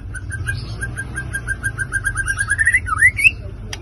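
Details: White-rumped shama singing to provoke other birds: a long series of short whistled notes that speeds up and climbs in pitch, ending in a few swooping slurred whistles, over low background hum.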